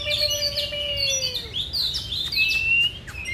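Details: Oriental magpie-robin singing during a fanning display in a song contest, pouring out rich, varied whistles and sliding notes in quick succession, with a lower drawn-out descending whistle near the start.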